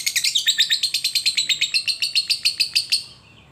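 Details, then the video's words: Lovebird ngekek played to coax other lovebirds to sing: a rapid run of sharp, high chattering notes repeated about seven times a second for three seconds, then fading out. "Suara lovebird ngekek panjang"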